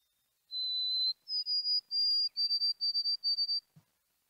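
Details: A white-throated sparrow (Zonotrichia albicollis) sings a long pure whistle, then a higher held note breaking into a run of quick triplet whistles on the same pitch.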